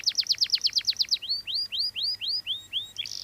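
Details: Canary singing vigorously: a fast run of about ten sharp falling chirps, then a slower series of upward-curving whistled notes at roughly two per second, ending in a buzzy flourish.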